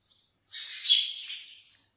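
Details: House sparrows living at a home with livestock give a dense burst of harsh, high chirps lasting just over a second, with a faint chirp before and another starting at the end; they chirp when not given rice.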